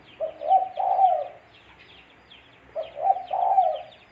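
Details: Spotted dove cooing, a recording used as a trapping lure: two mellow, husky phrases, each a short note followed by a longer rolling coo, about two seconds apart, over soft twittering of other birds.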